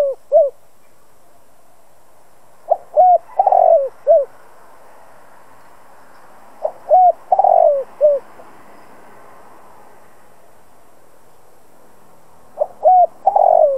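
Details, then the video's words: Decoy spotted dove calling to provoke wild doves. Three cooing phrases, roughly four seconds apart, each a run of four or five low notes centred on a long, wavering coo, over a quiet background. "Chim cu gáy mồi cây gáy gọi kích bổi tập mồi căng lửa. Cu đất gáy kích bổi."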